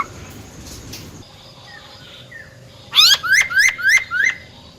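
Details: Female silver-eared laughingthrush singing a wild-type song, used to rouse male birds: a quiet start, then a quick run of five sharp, rising, downslurred notes near the end against faint background hiss.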